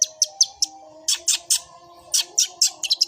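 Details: Fighting long-tailed shrike, 'suara gereja' song style: separate sharp high chips and harsh buzzy notes in loose groups, with soft steady tones in the background.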